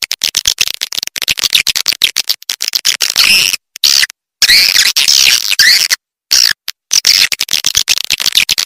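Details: Swiftlet sound used in swiftlet farming to call and draw in birds: dense, high, scratchy twitters, about a hundred short bursts a minute, broken by brief abrupt silences.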